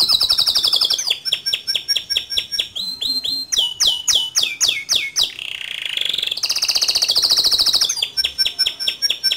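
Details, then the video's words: Energetic male canary song, rolling with sharp shot notes, used to tutor young canaries: high trills alternate with runs of quick descending whistled notes and a sustained rolling buzz, continuous throughout. "Suara Kicau Kenari Jantan Gacor Ngerol Nembak Cocok Dijadikan Masteran Kenari Muda"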